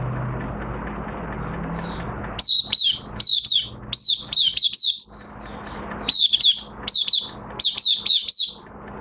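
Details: Oriental white-eye in minor moult singing openly: bursts of high, sweet chirped notes, each sliding down, strung in quick runs of about a dozen after a quiet start with low background hum.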